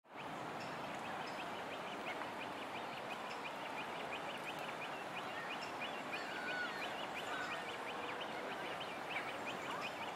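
A great crested grebe chick pipes steadily, thin high notes repeated about three or four times a second, over a constant wash of wind and water noise.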